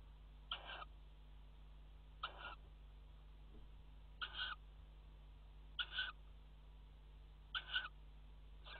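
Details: Recorded 5 February 2018 at a tawny owl nest box in a water tower, with mating on the rim: five evenly spaced, short, hoarse screeching calls about every 1.7 seconds, steady hum beneath.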